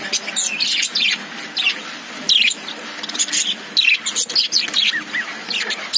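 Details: Lovebirds kept in a cage chatter steadily. Thin, high chirps and short rising squeaks come in uneven clusters throughout.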